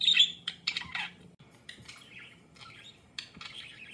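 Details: Two pet budgerigars that learned each other's songs and created a new one together warble in bright, scratchy chirps and squeaks, trading quick high phrases back and forth.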